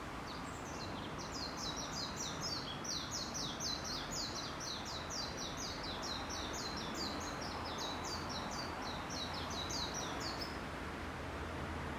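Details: Birds that come into a courtyard chirp in a long, rapid run of high, bright notes for about ten seconds, then fall quiet over constant low ambient hum.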